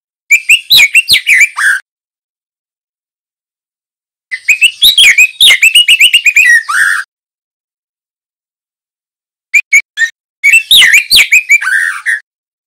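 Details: Song of a young male white-rumped shama, a speckled juvenile, used as a tutor for other birds. Three bursts of rapid varied whistles and trills, each closing on a lower slurred note, separated by silent gaps.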